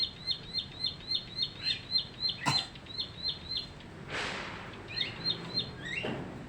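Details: Newly caught bar-winged prinia, three weeks in captivity, singing in its cage: rapid series of high, sharp notes repeated about three to four times a second, with a brief pause and a burst of noise midway.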